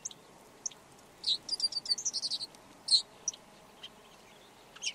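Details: Red-backed shrike song: a burst of short, scratchy, high chirps and squeaky notes clustered in the middle, with a few isolated clicks and ticks before and after against a quiet background.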